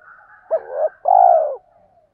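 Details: Spotted dove 'thúc' lure call used to stimulate wild doves: a single phrase of a short, wavering note followed by a long, smooth, low coo over faint soft cooing.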